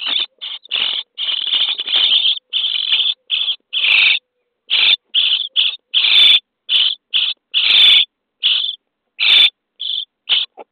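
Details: Common starling nestlings in a nest box on day 23, during feeding, beg with harsh, raspy, hissing bursts in rapid irregular series, several each second, high-pitched and noisy, with brief pauses between.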